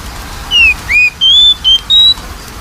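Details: Oriental magpie-robin song used to stimulate a lazy-singing bird: a phrase of five clean whistles, falling, rising, then level notes climbing slightly in pitch, preceded by a half-second of quiet.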